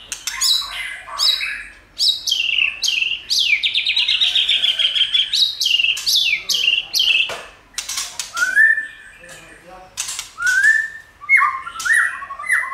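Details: A White-rumped shama sings to provoke other shamas in training: sharp, high notes and long buzzy rattles, loud clicks, then a run of clear, lower, level whistles.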